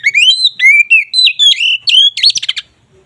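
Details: Ngeplong song of an oriental magpie-robin (kacer), used to raise mating drive: a continuous run of clear whistled notes alternating rising and falling slides, ending in rapid buzzy trill-like notes.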